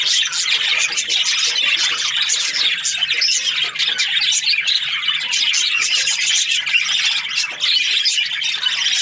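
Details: Budgerigars, Australian parrots, chirping: a dense, continuous chorus of overlapping high chirps, squawks and warbles from a group, with no pauses throughout.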